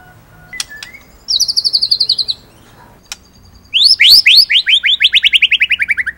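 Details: Singing white-rumped shama, Indonesian murai batu material for training other birds: a brief high rattling trill, a pause with faint clicks, then a loud rapid series of notes sliding downward from very high to mid pitch.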